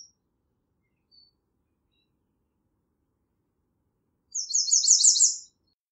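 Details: American redstart singing: after near silence, one high, thin song of about a second of rapidly repeated short downslurred notes, fast and slightly accelerating, with a faint brief chip earlier.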